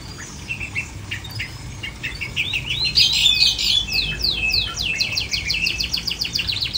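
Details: Long-tailed shrike in an uncovered cage delivering a busy, varied song: scattered chips and short whistles building to a dense rapid series of sharp notes, around three to four per second, loudest midway.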